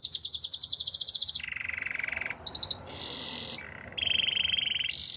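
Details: Singing canary moves through tours: a bright fast rattle, a lower buzzy trill, brief high notes, a rolled warble and another steady rolling trill, with low background hum throughout.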